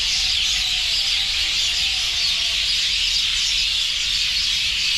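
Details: Crowded roosting flock of birds chirping together, their droppings whitening the ground beneath. Unbroken high-pitched twittering and squeaky chatter from many birds at once, steady throughout, with a few faint lower tones early on.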